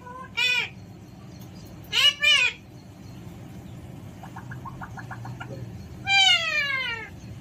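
An Alexandrine parakeet gives three bursts of loud, ringing, arched calls, a quick pair in the middle, with soft clicking between them.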